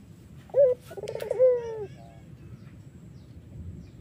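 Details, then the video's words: Collared dove, Iraqi variety, a sweet lure song for other doves: a sharp short note, a fast fluttering trill and a drawn, slowly descending coo, then quiet background hiss. "BURUNG PUTER IRAK GACOR MERDU"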